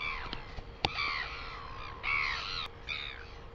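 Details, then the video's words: Northern royal albatross, New Zealand, 12 August 2020: drawn-out, nasal, harmonic calls, each sliding gently downward, in several bursts about a second apart. A sharp click sounds near the start, over faint background noise. "NZ Northern royal albatross"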